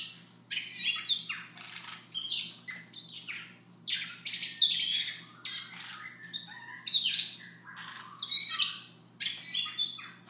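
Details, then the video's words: Siberian rubythroat singing softly in the morning, a long stream of varied scratchy, chattering and whistled notes with short gaps, some high pure tones, and a steady low background hum. "Siberia ruby throat"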